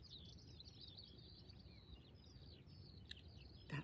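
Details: A Eurasian skylark nesting in the long grass of a sheep field pours out a continuous, rapid, high twittering warble, probably warning the speaker away from its nest, with low wind or field rumble and one brief knock.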